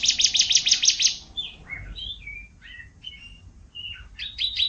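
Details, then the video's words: Contest-champion canary singing: a fast, buzzy high trill opens, then gives way to separate whistled notes that slide up and down. A brief rapid trill returns at the end. "kicauan kenari master juara kontes"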